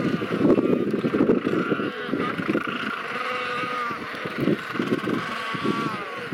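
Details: Royal penguins calling on sub-Antarctic Macquarie Island. A harsh group chorus is strongest at the start, then eases into a lower background murmur, with a few thin, sustained cries threading through.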